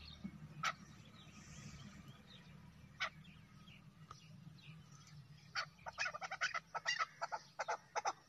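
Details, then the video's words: A desi chukar partridge (chakor) gives a few sharp clucks, then a quickening run of harsh chuck notes about eight a second, over a low steady background hum. "chakor ki khobsurat awaz /چکور کی خوبصورت آواز"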